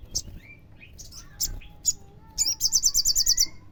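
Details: Crimson sunbird (sogon) recording used as a lure for other sunbirds. Loose high chirps give way to a fast, even trill of about nine piercing, ticking notes, with thin whistles from other birds behind.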